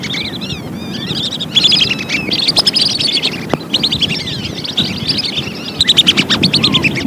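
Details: Lesser whistling ducks in a recording meant as a lure for catching them: many high, wavering whistled calls overlap in a busy chorus. A louder burst starts near the second and a quick run of repeated notes comes near the end, over a low rumbling background.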